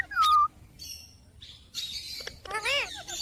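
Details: A pet Indian ringneck (rose-ringed parakeet) that talks ("mitthu") gives a loud, sharp downslurred squeak, then softer scratchy chatter and a rising-falling, voice-like warble near the end.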